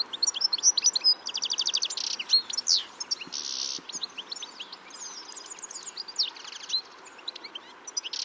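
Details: European goldfinch calls recorded in Spain: bright, tinkling high twitters and short rising chirps in quick irregular runs, broken by brief buzzy, rasping bursts and a few downslurred notes, the chatter thinning out toward the end.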